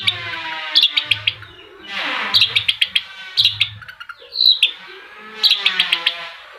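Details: Long-tailed shrike singing against engine noise, with brief groups of sharp, chattering notes separated by swelling, hissing machine sweeps and a low rumbling throb.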